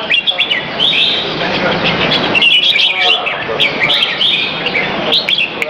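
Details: Red-whiskered bulbul kept in a cage, exercised at a Serangoon North Ave 1 arena one afternoon, 22 February 2017. Quick, sharp chirping notes come in clustered bursts, with a brief gap near the middle and faint voices behind.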